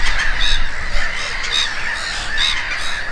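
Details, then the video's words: Brief burst of gull calls at Konstancin-Jeziorna, with quick repeated squeals and higher yelps over overlapping cries and a low wind rumble. "GŁOS MEWY-THE VOICE OF THE SEAGULL"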